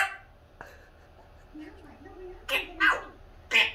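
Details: A 2-year-old pet grey parrot with an English accent shouts at the cats to get out: short, raspy, word-like bursts in a human-like tone, with three loud, clipped syllables near the end.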